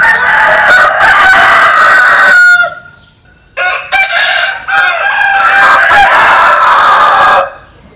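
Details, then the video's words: Roosters crowing, Vietnamese and American Sil chickens: a loud, sustained, raspy crow with overlapping birds, a brief pause, then another long harsh crow lasting about four seconds. "Tổng Hợp Tiếng Gà Gáy/ Synthesize Cock Crows"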